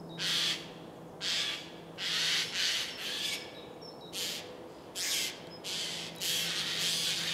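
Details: Tawny owl pair in Losiny Ostrov, January 2019, the bigger female sitting higher and the male lower. Rough, breathy screeching bursts, each roughly half a second, repeated about every second with short gaps, loud against a quiet winter background.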